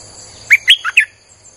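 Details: Streak-eared bulbul singing a single fast phrase of four bubbly, slightly rising and falling notes, recorded as a lure for wild birds; faint constant high hiss behind.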